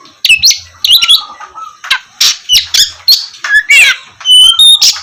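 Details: Gacor song of an Oriental magpie-robin, played as a morning lure for lazy birds: harsh buzzy bursts alternating with sweet whistles, one long low whistled note, and a final high slurred phrase.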